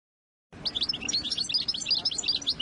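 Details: European goldfinch song, played to teach young birds and help females get into breeding readiness; a fast, continuous twittering of high, tinkling chirps and short trills begins after a brief silence, with a faint low hum beneath.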